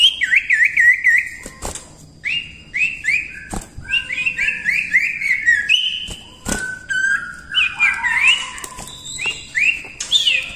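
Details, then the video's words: Common iora in lively song, offered as a tutor recording for training other birds: clear whistled notes around mid-high pitch, many sliding downward in quick repeated phrases, with sharp clicks and knocks between them. "cipoh gacor ampuh untuk masteran"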